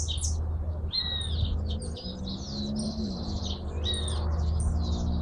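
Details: Jilguero argentino, the hooded siskin, in song: a sharp note, then a continuous high twittering of buzzy trills and short whistled slurs, with a low steady hum throughout.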